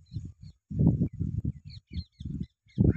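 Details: Cattle egret in breeding plumage, seen walking and flying: a string of short, low, rasping croaks in uneven bursts, while small birds chirp thinly in the background.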